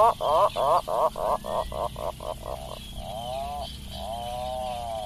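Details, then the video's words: Rapid throbbing series of deep, harmonic pulses from an Atlantic puffin, gradually softening, followed by two longer wavering moans over a steady low background hum. "SUARA ANEH BURUNG ATLATIC PUFFIN"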